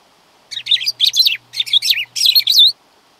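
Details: Black-throated grosbeak singing a longer two-second phrase of warbled, rapidly modulated whistles in four bursts, rich and varied, with a faint low hum beneath.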